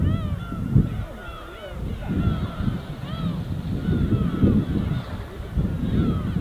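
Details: Gulls flying together above the winter East Sea in Korea call with repeated arched, yelping notes every second or so, mixed with rolling waves and light wind.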